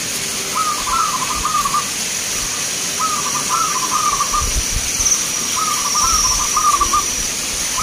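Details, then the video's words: Local zebra doves singing at a song contest in Magelang, Indonesia: three long, rippling coo sequences of gently rising and falling trilled notes, spaced a few seconds apart, against a constant background hiss. "Perkutut Lokal gacoran Vs irama"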